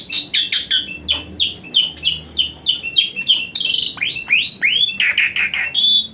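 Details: Asian pied starling, song used as therapy for a lazy-singing starling: fast series of short hooked whistles, about three per second, then louder downward-curving swoops and buzzy notes.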